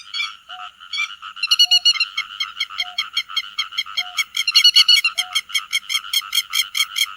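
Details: Grey-headed lapwing gathering its flock, recorded for net trapping: scratchy calls that quicken into a fast, regular series of sharp rasping pulses, with a soft brief tone recurring about every second.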